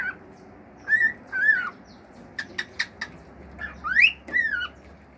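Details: Male cockatiel kept as a pet, singing natural calls and mimicking: soft flat whistles, a few sharp clicking sounds in the middle, then a rising whistle and a falling note, over a hum.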